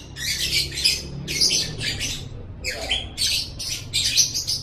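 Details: Lovebird ngekek chattering, used to get pet lovebirds chattering: loud, harsh, high squawky bursts separated by short silences, with one lower descending note near the middle.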